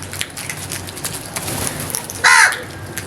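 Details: Crow giving a single loud, harsh caw near the end, short and rasping with a strong upper edge, over a steady background hiss with scattered small clicks.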